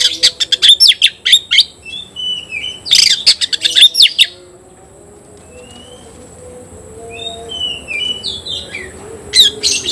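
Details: A competing Oriental magpie-robin sings fast, crackling phrases of rapid sharp clicks and buzzy notes for about four seconds, then softer scattered whistles and slurred notes over a quiet background, closing with another sharp burst.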